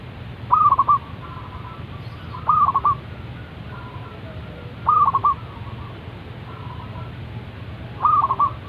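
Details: Zebra dove still calling in the morning, repeating a hooked, bouncing coo phrase of quick notes four times at intervals of two to three seconds, with a faint steady hum behind.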